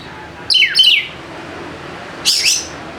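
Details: White-rumped shama song, a lure to set sluggish birds singing: a quick pair of falling whistled notes, then after a pause one bright sweeping note that rises and falls.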